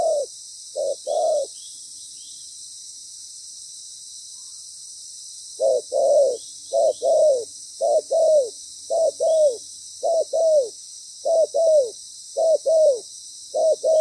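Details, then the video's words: Spotted dove serving as a trapping decoy while moulting: a few coos, a pause of several seconds, then a long run of paired coos with a falling second note, about one pair per second; insects droning steadily. "Bổi lớn tiếng,chim bài bản"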